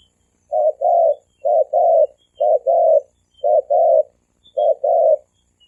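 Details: {'text': 'Male and female spotted doves cooing thổ kim style to lure wild doves: clean, paired coo phrases, a short note followed by a longer one, repeated five times about once a second over a quiet background.'}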